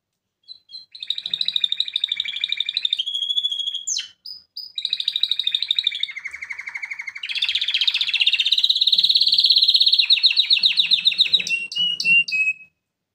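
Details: A male water-type canary, recorded for training other canaries, sings a long, continuous song of rapid trills and rolling tours, shifting between high chirping runs and lower water-like bubbling phrases.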